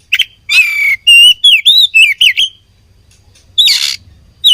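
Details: Oriental magpie-robin (kacer) in a fight: a harsh rasp, a long downslurred whistle, then a string of bright wavering whistled notes, a short pause and another scratchy burst.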